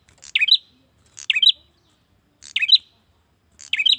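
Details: A male bar-winged prinia calls for a female: four crisp, high-pitched chirping phrases, each a rapid double-note twitter, delivered with uneven gaps of one to one and a quarter seconds in a quiet setting.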